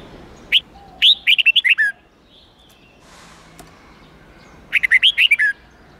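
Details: Red-whiskered bulbul singing a training song for young birds: a lone whistle, then a fast phrase of bright warbled notes, a quiet pause with faint rustle, then the phrase repeated.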